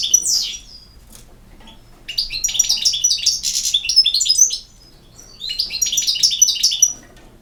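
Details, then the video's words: European goldfinch pouring out long, fast runs of bright, liquid, twittering notes mixed with buzzy trills, two extended phrases separated by a short pause. "El Jilguero"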